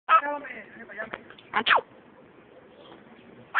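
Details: Pet parrot sneezing indoors: sharp, sudden bursts of noise, a double one near the middle and single ones at the start and end, with soft chatter between them.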